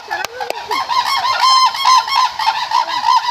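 Loud, rich trumpeting calls from several cranes overlap in a fast run of about three honks a second, each a brassy, slightly wavering note.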